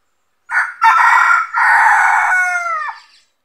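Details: Red junglefowl rooster crowing during traditional trapping, where a decoy rooster lures wild roosters that come to fight for territory: a short opening note, then a long, loud, harmonic-rich drawn-out crow that falls away at the end.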